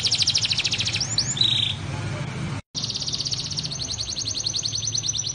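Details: Canary with blackthroat-style roll variations, a tutoring song for other canaries and white-rumped shamas: very rapid high trills with a short rising note, a brief cut to silence midway, then a long fast pulsing trill over low background hum.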